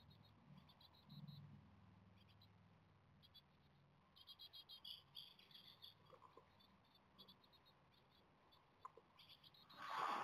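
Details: Nestling Japanese tits, seventeen days into brooding, beg for food under a worsening sky. A string of quick, high, scratchy chirps rises in the middle, among scattered faint notes, ending in a burst of rustling noise.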